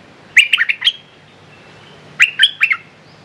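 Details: Decoy red-whiskered bulbul calling to draw in a territorial wild bird: two short clusters of sharp, lilting chirps, separated by nearly two seconds of quiet.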